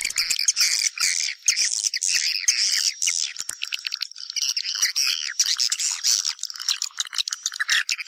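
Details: Swiftlet house-attraction sound: a flock of swiftlets twittering and chattering in high, buzzy, overlapping notes. The calls come in uneven pulses with quieter dips throughout.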